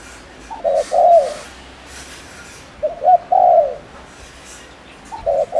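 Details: Lure spotted dove from Ninh Thuận, Vietnam, cooing quickly to excite male doves. Two full phrases and the start of a third: a clipped opening note, then a longer, rounded coo sliding down, each about two seconds apart.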